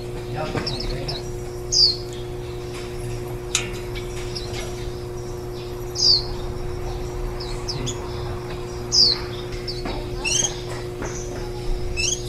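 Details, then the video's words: Warbling white-eye (青笛仔) at a nest feeding ten-day-old nestlings the day before fledging, 23 July 2018, recorded four metres up on a ladder-mounted tripod; loud descending high chirps every few seconds with fainter twittering between, steady hum beneath. "綠繡眼-青笛仔 育雛 錄音"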